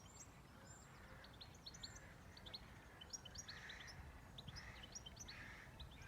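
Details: Birds on a farm: thin, high chirps and short twittering notes scattered through the clip, with a few soft harsh notes in between, over a steady low rumble of background noise.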